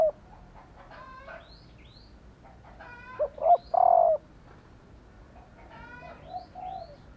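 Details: Female spotted dove calling to get males cooing; a short note and one long level coo midway, mixed with repeated higher chirping notes from other birds before and after.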